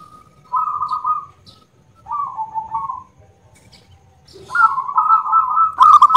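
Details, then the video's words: Local zebra dove with a loud voice: drawn-out, purring coos in three phrases, the last rising and lengthening, separated by short pauses, ending with a sharp click. "Perkutut Lokal Suara Lantang"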